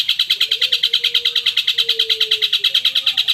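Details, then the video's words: Long-tailed shrike song played as a stimulus to make caged shrikes answer: an even, rapid train of raspy chattering notes, about three per second, with a faint low whistle running underneath. "pancingan cendet PAGI SIANG SORE pancingan khusus buat cendet bahan agar cepat nyaut emosi ikt bunyi"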